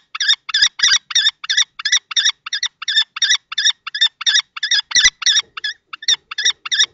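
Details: Common kestrel males contest a nest box in Théding, France, 20 March 2024, the adult trying to dislodge the juvenile-plumaged male. Sharp, high calls repeat almost three a second, briefly broken near the end, with an occasional knock.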